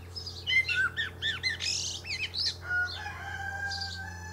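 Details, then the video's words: Male Common Blackbird atop a pear tree gives a run of quick looping fluted notes and high twittering squeaks, then fades as long steady drawn-out tones follow in the background. "Blackbird Singing"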